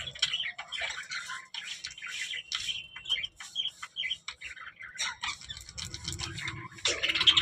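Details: Budgerigars giving quick, varied chirps, short whistles and chattering notes at moderate loudness, with a faint low hum in the background and a sharper squawk at the close.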